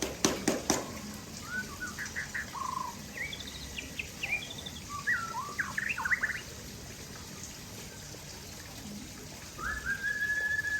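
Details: White-rumped shama, Aceh type, singing while sunbathing: scattered whistled notes, short rising and falling slurs and a long level whistle at the end, over steady hiss and a few loud clicks at the start.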